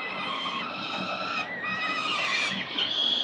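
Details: Peregrine Falcon nestlings, four chicks fed breakfast at a city building nest in Victoria, 4 November 2021, on CCTV. A steady stream of shrill, harmonic wails that waver slightly in pitch throughout.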